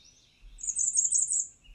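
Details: Bay-breasted Warbler song: a very high, thin, hissing single note repeated quickly at the same pitch five or six times in about a second, with faint high trills before and after.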